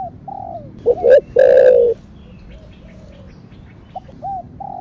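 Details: Spotted dove coo, style thổ sấm: soft falling notes, then two short notes and a loud long coo, then gentle arched coos resume after a pause.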